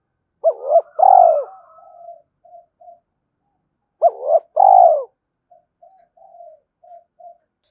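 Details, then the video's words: Spotted dove cooing at a rival to provoke it; two loud phrases about three and a half seconds apart, each a double coo and long trembling note, followed by quieter distant coos. "Chim cu gay kich boi gay goi hai hau/ cu gay kich boi nhanh noi gù"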